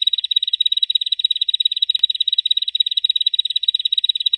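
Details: Bar-winged prinia giving ngebren song used as training material for cage birds, an unbroken fast trill of sharp, high, closely spaced notes at an even pitch, a faint click near the middle.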